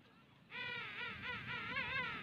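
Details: King penguin on South Georgia Island gives a loud, nasal, trumpeting call of nearly two seconds, with a wavering, warbling quality that rises and falls several times.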